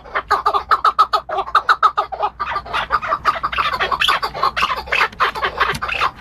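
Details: Chukar partridge, linked to hunting, giving rapid hoarse chuk notes that become denser and overlap into a harsher, jumbled chattering over low background rumble.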